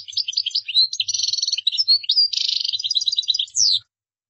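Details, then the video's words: Goldfinch, the European species, singing qdara-style for learners to imitate; unbroken fast twitters, metallic buzzy trills and a final descending whistle before silence. "تغريد مقنين قدارة"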